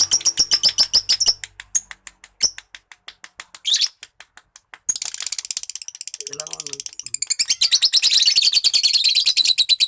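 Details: Lovebird in training to sing ngekek, its long chattering song, heard as rapid dry ratchet-like pulses, first spaced, then a dense high buzzing chatter of fast repeated clicks filling the latter half, with a brief lower wavering sound midway.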